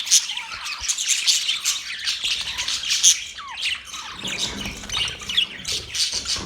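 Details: Budgerigars chirping: a dense, busy stream of high twittering chirps and warbles with scattered squawky notes, continuous throughout, with one short descending whistle near the middle.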